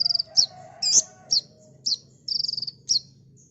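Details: Ninja sunbird singing vigorously for a training master: rapid, high chirps and flicked notes in quick series, a buzzy trill near the end, with a faint whistled tone and low hum in the background.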